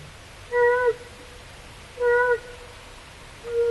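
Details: Great Horned Owl in a quieter, more pensive mood, a species of Northern California forests: single hollow, mellow hoots with a slight downward slur at the end, spaced about every one and a half seconds against quiet hiss.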